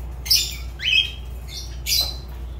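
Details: Fischer's lovebird (Agapornis fischeri) kept as a pet indoors, giving three short harsh squawks, each a sharp noisy burst with a brief rising note in the middle, spaced about 0.8 seconds apart over low steady room hum.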